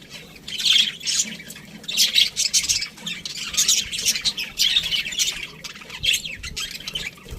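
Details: Several budgerigars in an aviary squabble and chatter, with harsh, raspy squawks and thin chirps rising in bursts over a quieter, continuous background of more birds.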